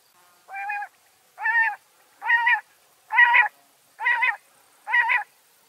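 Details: Series of six nasal, reedy calls from a wild backyard bird in Washington State, regularly repeated about once a second, the first softer and the rest loud and even, with no other sounds.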